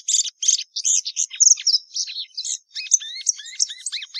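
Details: Plumbeous seedeater singing: a varied series of short buzzy notes and whistled slurs, with falling and rising inflections, delivered in quick phrases with brief gaps.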